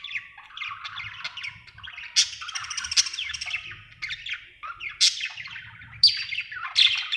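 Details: Happy budgerigar warbles continuously, rambling squeaky and grating chirps punctuated by several sharp, bright high squeaks, with a faint low hum beneath.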